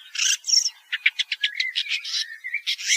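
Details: Woodchat shrike phrase opening with harsh raspy notes, then a quick even series of about eight clipped ticking notes, and closing on a rising whistle and scratchy chatter.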